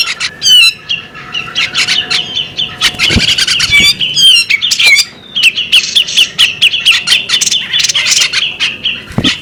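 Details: Varied calls of a female bearded magpie robin, with whistled slurs, harsh squawks and quick chirp series, pausing briefly midway, above a constant high steady tone.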